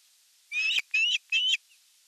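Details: Evening feeding at an osprey nest on 30 June 2022, nest camera: three high, slightly rising whistled notes in quick succession, each about a quarter second long, with a faint click between the first two.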